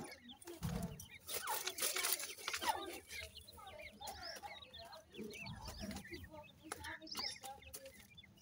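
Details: Grey francolin chicks while feeding: a burst of harsh noise and handling sounds opens, then many quick high chirps and short upslurred peeps continue over low background rumble.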